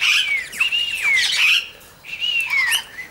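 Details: Major Mitchell's cockatoo dancing at Junee Tourist Park, Australia, on 5 June 2015, an eastern rosella joining in; two long, quavering screeches that rise then slide downward, loud and harsh.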